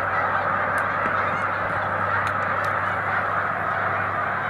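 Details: A great flock of snow geese rising at once as a boater approaches, March 2021; countless overlapping honks merge into a steady, even clamour, with a low hum beneath.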